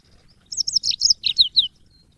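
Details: Caged yellow-fronted canary song used as training audio: after a quiet start, a burst of roughly nine high, sweet notes, each sliding downward, comes in rapid succession over faint low background hum.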